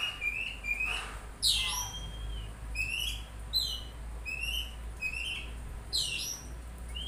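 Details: Oriental magpie-robin repeating short rising whistled phrases about every second, mixed with loud sharp chips, against a constant low hum.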